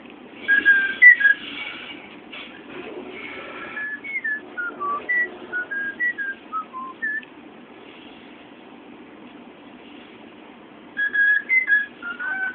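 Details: A male pet cockatiel (Nymphicus hollandicus) whistles part of the Addams Family theme tune in clear, pure notes that step up and down in short phrases.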